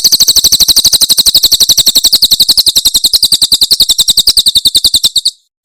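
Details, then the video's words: Cililin Javan prinia, very clean master recording: a long, steady trill of rapid, high, metallic notes running over five seconds before a brief stop. "Masteran Tembakan Cililin SUARA SUPER JERNIH"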